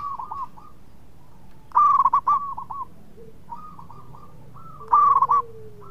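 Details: A lively local zebra dove, noted for a sweet voice and for drawing others into song, utters two loud bursts of rapid bubbling coo notes. Softer phrases lie between them, and a faint low whine is in the background.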